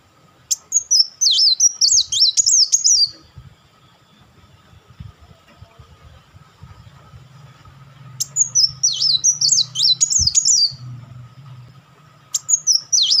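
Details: Kolibri Wulung sunbird producing crecetan volleys, used as a master for training songbirds: bursts of rapid, high, jagged chattering notes about seven seconds apart, with faint low rumbling and knocks between.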